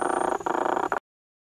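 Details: Squirrel cuckoo (subspecies macroura) in Iguazú National Park, Misiones, in May 2018, giving a harsh, nasal, rapidly pulsed rattle in three quick bursts over about a second, then silence.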